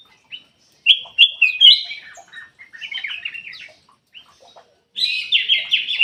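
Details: Ruby-throated bulbul singing as a lure to stimulate birds that are reluctant to sing; clear whistled notes repeated in quick succession, a rambling warble, a gap, then a final rapid run of bright phrases.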